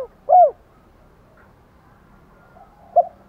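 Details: Spotted dove cooing in the 'giọng đồng' voice style to call females: a loud, low hooting coo, then quiet, then more short coo notes near the end.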